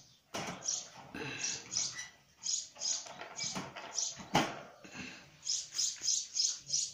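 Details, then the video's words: Untrained young sparrow, not fully grown, chirping steadily: bright high notes come in quick irregular bursts, about three per second, over rustling and tapping noises in a small indoor space. "ak chote aur Pyaari chirya (Sparrow) 🕊️ aur us ki Pyaari awaz"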